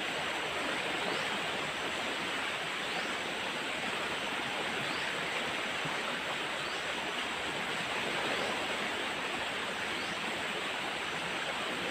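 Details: Steady rushing water like a stream or waterfall fills the clip, with no clear animal voice above it.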